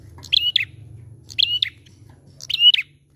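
A prinia gives three bright, chirping, warbled phrases about once a second, high and quick, over a faint low hum.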